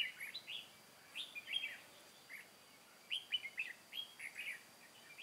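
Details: Red-whiskered bulbul decoy at a trap set for wild birds, Vietnam, 23 August 2018: bubbly, bright whistled phrases in short clusters, each a few quick slurred notes, separated by brief pauses.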